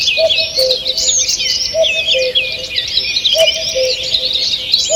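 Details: Birds singing in a forest on the morning of 2 June 2023: loud, dense high warbling and twittering throughout, with a low hooting double note recurring about every 1.6 seconds.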